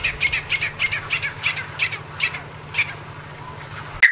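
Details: Grey francolin giving short, sharp calls repeated about three times a second, evenly spaced then slowing and fading, over a steady low hum.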